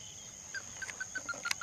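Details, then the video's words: Ruddy-breasted crake giving a quick series of short, clipped mid-pitched notes, about seven per second, over a steady high insect drone. "Ruddy breasted crake"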